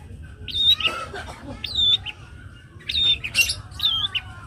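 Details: Young long-tailed shrike delivering clear whistled notes, some with sharp downward slurs, in separate bursts about a second apart, mixed with scratchy chirps.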